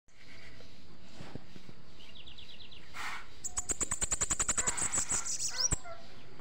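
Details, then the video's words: Bananaquit, called sibite demolidor, singing: after a few soft, thin notes, a high, rapid, buzzy trill of sharply repeated clicking notes runs for about two seconds, then ends with a brief upslurred note; quiet rural background. "sibite demolidor"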